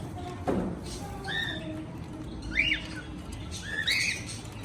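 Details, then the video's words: Cockatiel singing and chirping: a string of clear whistled notes, some rising and some falling, spaced irregularly over a few seconds, with a sharp rising-falling chirp near the middle, over a low steady background hum. "Cocktail singing and chirping sounds // Beautiful cocktail sounds"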